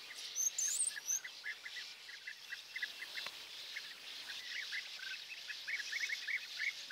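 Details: European bee-eaters in Hungary on an early morning of 10 May 2024, at perching sticks, give short, rolling, liquid notes in a steady scatter from several birds. A thin, high whistle from another bird sounds near the start.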